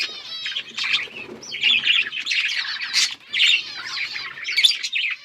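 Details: Budgies on October 27, 2023: a lively overlapping warble of high twittering chirps and rasping squeaks in bursts, with brief quieter gaps between the louder flurries.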